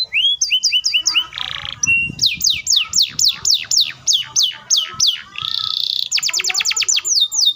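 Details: Singing canary with a long rapid roll used to spur young or stalled canaries to sing: short whistled notes, a brief buzzy burst, then rapid falling sweeps ending in a very quick clipped trill.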